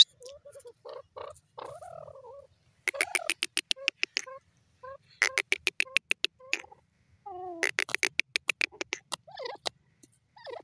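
A francolin gives bursts of harsh, rapid clicking notes in runs of about a second, between lower, wavering nasal calls.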